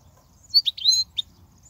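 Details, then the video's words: Bright twittering of a European goldfinch, song used to teach young goldfinches: quick high chirps run together into a liquid warbled phrase, then a final sharp note over a faint low hum. "تغريد الحسون"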